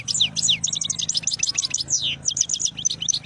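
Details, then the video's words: Singing khlawi European goldfinch with beautiful notes, a continuous fast stream of high tinkling, slurred and chirping notes without a break, over a faint low hum. "تغريد حسون خلاوي نوطات جميلة"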